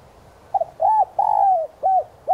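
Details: Lure spotted dove in the 'son' voice: a clipped double note, then full rounded coos, the third long and gently falling, all low and mellow against near silence.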